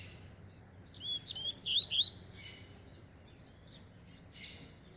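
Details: Double-collared seedeater warming up, fast and strong: one brief phrase of about a second made of rapid, high, swooping whistled notes, followed by faint, scattered soft chips.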